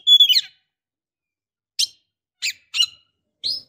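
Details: Female Oriental magpie-robin calling the male, described as luring him to rouse, sing or mate: a clear whistled note, then four short buzzy chip notes spaced by silence.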